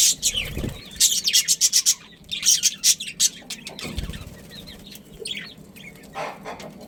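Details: Breeding pair of budgerigars, Australian parrots: a quick run of loud, sharp chirps, then scattered soft warbling notes, with faint low thumps beneath.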